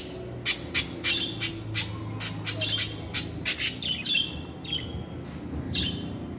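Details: Budgie chatter of fast, scratchy high clicks and chirps in rapid series, then a few whistled notes, with a soft low hum beneath.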